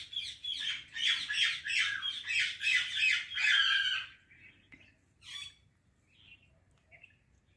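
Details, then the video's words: Indian parrot (mitthu tota) giving quick, harsh, rhythmic squawks about three per second for four seconds, then a few softer scattered chirps and one sharp squawk over quiet indoor hum. "Indian Parrot Talking Video | Mitthu Tota Ki Awaz"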